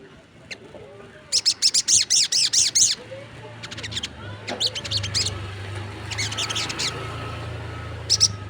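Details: Crested jay in full voice, other birds said to reply; a burst of rapid, high, clipped notes for about a second and a half, then fainter scattered bursts of similar notes over a low steady hum.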